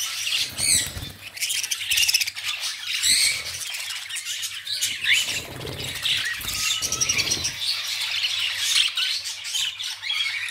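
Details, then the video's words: Several violet-masked lovebirds chattering, shrill squawks and sharp chirps layered in a busy constant chorus, with brief louder bursts near the start and a faint low hum in the background. "love birds 🐦 voilet mask love birds"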